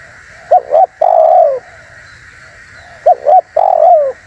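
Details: Spotted dove (tekukur) call used for luring wild doves and provoking rival doves: a low, hollow coo phrase of two short bubbling notes and a longer falling note, repeated twice about two and a half seconds apart, with steady background hiss.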